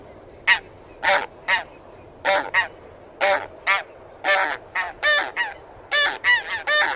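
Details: Taiga bean goose (Anser fabalis), a migrant wintering in Taiwan, giving short nasal honks, single or in quick pairs, spaced irregularly over a quiet background.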